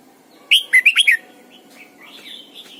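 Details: Red-whiskered bulbul kept as a caged decoy, singing its morning song in the old wild double-note style to train other birds: one fast phrase of five slurred notes, followed by soft, high twittering.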